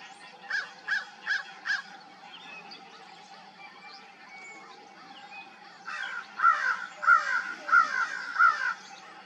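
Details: A group of crows at dawn giving harsh caws: four softer distant caws in quick succession, a pause, then four loud, rasping caws spaced about 0.7 seconds apart, over quiet bird chatter.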